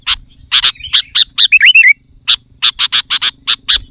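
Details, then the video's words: Sooty-headed bulbul calling to draw wild bulbuls: a series of sharp, evenly spaced chips, a quick twisting warble in the middle, then more chips in a steady rhythm. "Suara Burung Kutilang Gacor Memanggil Kutilang Liar Bikin Burung Kutilang Emosi Dan Ikut Gacor"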